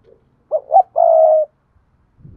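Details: One Đồng Nai spotted dove phrase played to lure wild doves: two quick mellow coos then a long level croo, followed by a faint low rustle near the end.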